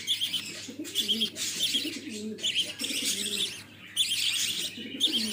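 Budgerigar chicks chirp in busy, high, scratchy bursts over soft low warbling murmurs.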